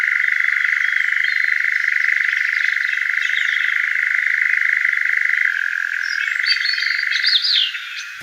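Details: A European nightjar in summer, perched in a large oak, churrs in a rapid mechanical trill held unbroken for seven seconds, dropping slightly in pitch, then cutting off abruptly as a person approaches; faint chirps of other birds near the end.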